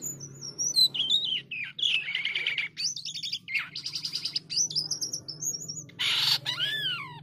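White-headed starling in a varied, continuous song of bright twisting whistles, buzzy rasps and chattering phrases that rise and fall; a low hum runs underneath.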